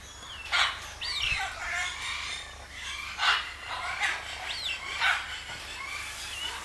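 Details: Male Green peafowl (Pavo muticus) courting at a bird park by Lake Balaton gives loud, harsh, far-carrying blasts every two to three seconds over chatter and whistles from other birds.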